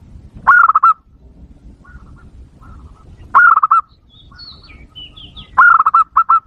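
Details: Lure call of a zebra dove used to provoke wild birds: three bursts of rolling, quickly stuttering coos, each under a second long, separated by quiet gaps with soft background rumble and a few thin high whistles.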